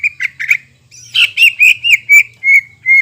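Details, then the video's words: Vigorous greater green leafbird song, played as a lure to stimulate birds recovering from moult: a short run of clear, slurred whistles, each note swelling and dropping, about eight notes in three seconds. "PANCINGAN CUCAK IJO GACOR UNTUK CUCAK IJO HABIS MABUNG"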